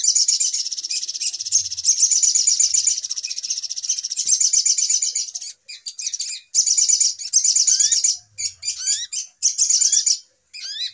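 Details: Little spiderhunter lure recording for bird trapping: a long shrill, rapid chatter for about five seconds, then choppy bursts of chatter and upward-sweeping whistled notes.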